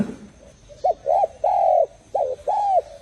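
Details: Spotted dove giving a phrase of mellow coos: two short hoots, a longer drawn-out coo, then two more, evenly pitched and rounded, with a faint rustle at the start.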